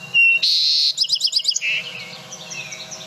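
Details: Song Sparrow in the Boise, Idaho area: a clear introductory note, a loud high buzz, a quick sparkling trill of about six notes, then lower closing notes. Faint birds, including a robin and possibly a yellow warbler, sing behind it.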